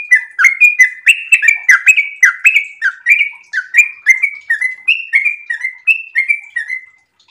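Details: A sooty-headed bulbul in breeding condition pours out a long, continuous song of liquid whistled notes, each a quick upslur or downslur, spaced evenly about three per second with no break.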